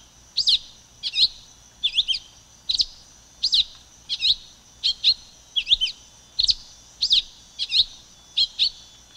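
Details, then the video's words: A silver-beaked tanager gives sharp, high, slurred chirps, often paired, repeated about every three-quarters of a second over a quiet background. "Canto da Pipira Vermelha Ramphocelus Carbo"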